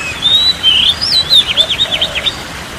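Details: Oriental magpie-robin song played as relaxation therapy for a stressed or quiet bird: thin high whistled slurs, then a quick run of rapidly repeated zigzag notes over steady background hiss.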